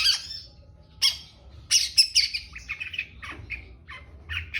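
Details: Long-tailed shrike giving trotol calls: harsh, scratchy squawks, first spaced about a second apart, then a quicker string of rasping notes with shorter chirps near the end, in a quiet indoor-sounding setting.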